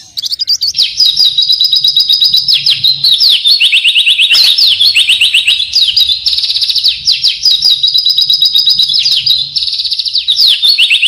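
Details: Oriental white-eye (pleci) in loud, dense gacor isian song: a nonstop torrent of very fast high trills and rising-falling slurs, roughly three notes a second in pulsing rolls.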